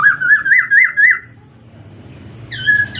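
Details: Masked laughingthrush song: a run of rolling, wavering whistled notes, about four per second, then a pause and a higher, clear whistled phrase at the end.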